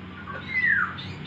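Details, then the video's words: Javan myna, a talking bird that imitates Islamic greetings such as Allahuakbar and Assalamualaikum, plus crying and coughing. Here a single clear whistle slides downward and fades within half a second over a quiet, faintly humming background. "Jalak Kebo Bisa Ngomong || Allahuakbar, Assalamualaikum, Waalaikum Salam, Nangis, Batuk Dll"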